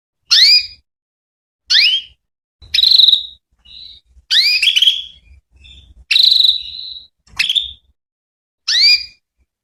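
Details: Calling female canary whose voice serves as bait so male canaries respond: a busy run of rising, overtone-laden calls mixed with several buzzy trilled notes and a few faint short whistles.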